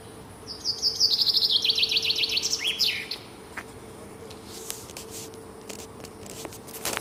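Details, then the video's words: Morning song of a small bird: a fast, descending run of sharp repeated notes lasting about two seconds, finishing with a rising twist, followed by quieter background with scattered faint clicks and ticks. "Таңкы чымчык сайроосу"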